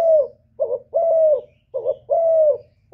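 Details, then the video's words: Spotted dove cooing to provoke males, a calling lure. Each phrase is a short low coo followed by a longer smooth, slightly falling coo. Phrases come about every 1.2 seconds over a faint low hum. "TIẾNG CHIM CU GÁY KÍCH TRỐNG RẤT HIỆU QUẢ, GÁY GỌI THÚC KÈM CỰC CHUẨN, CU ĐẤT GÁY, CU CƯỜM GÙ"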